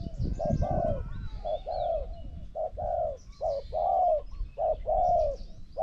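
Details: Spotted dove decoy and wild bird trading coos. Soft hollow coos in short-then-long pairs repeat about once a second. High twittering from other birds and some low rumble underneath.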